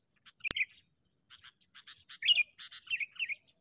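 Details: Sooty-headed bulbul kept as a trapping decoy, calling in short bubbly chirps and quick paired notes with a few louder, twisting whistles, after a sharp click at the start.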